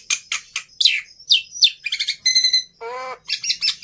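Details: Black-winged myna singing with falling squeaky notes, buzzy rattles and a low nasal drawn-out croak, a varied, scratchy phrase.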